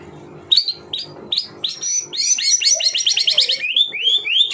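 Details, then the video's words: White-rumped shama song of the 'tembakan rapat' type: repeated upslurred whistles leading into a dense, rapid volley of sharp metallic notes, then rising whistled phrases. "Tembakan Rapat Burung Murai Batu"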